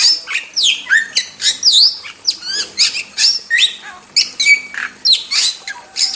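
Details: ['Wild starling in full song, a recording meant for training caged songbirds: a rapid, dense medley of sharp whistles, squawky notes and quick rising and falling slurs in bursts roughly every half second, with no other clear sounds.']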